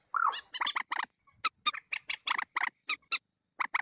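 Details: Common moorhen (mandar batu) calling in a lure recording: opens with a short bent nasal note, followed by a series of sharp, dry clicking notes in uneven groups with brief pauses.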